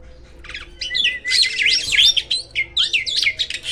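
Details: Black-winged starling, described as rarely encountered in the wild, giving dense rapid squeaky and harsh notes with slurred whistles, steadily repeated, starting softly and growing louder.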